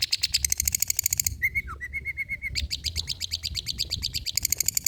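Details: Long-tailed shrike with old-style song for luring and tutoring: a dense rapid trill, a few slurred whistles, then a steady run of sharp ticking notes.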